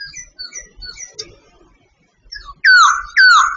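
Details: Singing Sooty babbler from Vietnam: soft, scattered high chirps, a brief hush, then two loud whistles that swoop upward and fall away, close together near the end.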